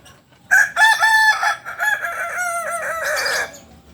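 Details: Kukuak Balenggek rooster, a native breed from Solok, West Sumatra, crowing: a long multi-part crow of harmonic notes with several stepped, wavering syllables running about three seconds before a hoarse ending.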